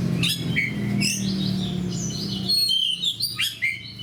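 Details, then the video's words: Oriental magpie-robin, a fighter singing nonstop among other fighters: whistled and buzzy notes, a steady low hum through the first half, then quicker, choppier chirps toward the end. "SUARA KACER GACOR DAN FIGHTER LAIN"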